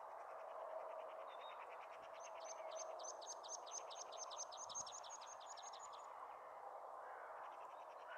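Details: Meadow pipit song recorded at Bossche Broek, 22 March 2017: a quick series of high, thin, evenly repeated notes lasting about four seconds over a steady low hum, with a few fainter chirps before and after.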